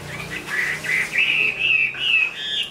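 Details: Chinese hwamei, big-framed, a fine singer and fighter, completing new plumage, gives a brief smooth phrase of connected wavering whistles that rises gradually in pitch over under three seconds.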